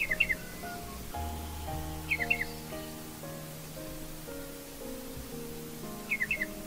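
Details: Striated Pardalote in Australia giving its two-syllable call: short, high two-part chip calls, repeated every two seconds or so, over steady background music.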